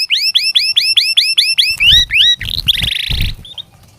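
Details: Canary song played to train lazy canaries to sing: a run of repeated rising whistled sweeps about four per second, then a dense buzzy rolling trill, fading out.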